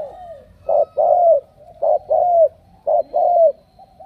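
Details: Captive spotted dove chosen for strong cooing utters three clear phrases of a short coo followed by a longer, downward-slurred coo, evenly spaced, with a soft drone underneath.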